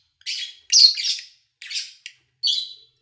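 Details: Pet lovebirds recorded in August 2019 while their owner was away, with little engine noise or human activity: four loud, harsh, high-pitched chirp bursts, rasping and squawky, separated by short silences.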